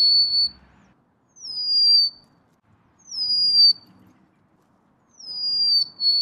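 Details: Golden-crowned sparrow giving a series of pure, downward-sliding whistles, each held briefly at the end, repeated about every one and a half seconds with faint low background sound.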